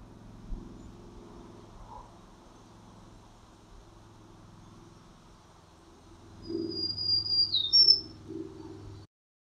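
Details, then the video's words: A Black-throated Green Warbler song: one high, buzzy, complex phrase of several wheezy notes lasting about two seconds, over a low steady hum. "I'll play for you right now the song of a black-throated green warbler."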